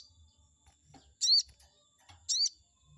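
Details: Chestnut-backed scimitar babbler played to anger and draw a response from a rival: two sharp, high, upswept squeaks about a second apart, with faint low rustles between them.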